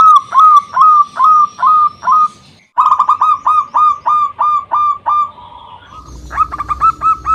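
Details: Vigorous local zebra dove song used to draw out rivals: clear whistled coos repeated about twice a second, a short break, then a rapid clipped series, ending in a quieter trill of higher notes.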